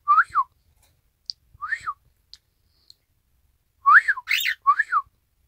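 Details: Isabel pearl cockatiel indoors, 1 December 2018, echoing a whistled 'ppoiyo' tune: scattered arched whistle notes, then a bunched burst of three near the end, with faint clicks between.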